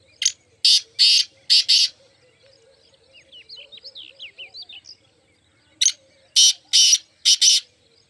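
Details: Two harsh rasping phrases from a black francolin (mushki teetar), each of five grating notes in quick succession; between them a smaller bird gives a soft run of thin high chirps.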